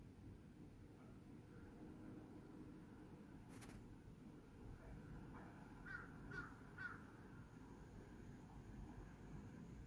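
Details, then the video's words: Crow calling on 18 August 2022 around 5:10 in the afternoon, three short hoarse caws close together, faint against a steady outdoor background hiss. "까마귀 소리"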